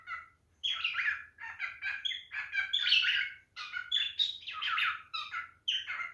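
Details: Male cockatiel mating calls directed at a female: a varied run of chattering whistles and chirps in short phrases, some notes sliding up and down, with brief pauses between bursts.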